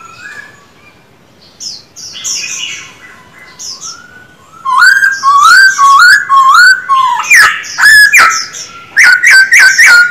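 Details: Soft, distant whistles open, then a Black-throated laughingthrush kept for song training breaks into loud, rapid whistled notes, repeated in quick rolling series with bright, sliding phrases.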